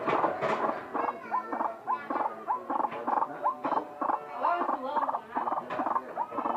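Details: Odd-sounding call of a white-breasted waterhen: a loud opening burst, then regular grating croaks with brief rising nasal notes, about three a second, in steady pulses.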